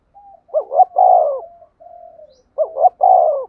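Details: Spotted dove decoy bird giving a calling and urging coo used to lure wild doves for trapping: two loud three-part cooing phrases, the second note rising, the last long and falling, separated by soft drawn-out low coos.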